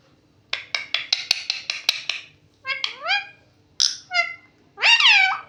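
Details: Talking parrot: a quick run of eight harsh, evenly spaced harmonic syllables, then several voice-like phrases that sweep up and down with whistled, bending tones, all indoors and nearly free of background noise.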